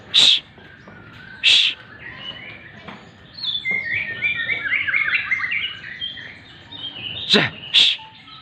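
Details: White-rumped shama singing during morning sunning: a soft run of quick warbled and whistled phrases in the middle, framed by sharp hissing shushes from a person before and after.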